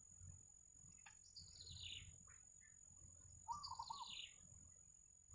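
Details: Yellow bitterns at the nest with their chicks in the wild, giving high descending squeaks, a few short clicks, then one quavering, pulsed chatter, against a continuous thin high whine and soft low rumble.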